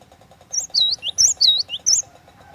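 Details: Cinereous tit in energetic lure song, a bright series of whistled phrases. Each is a sharp high note falling into a looping lower whistle, about five in quick succession, over a constant low ticking hum.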